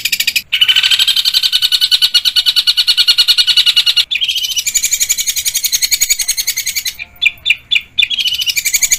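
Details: Long-tailed shrike in full-variation training song with fast, dense rolls. Long, rapid, high trilled rattles are broken by brief pauses, followed by a few separate harsh chips near the end before the roll resumes.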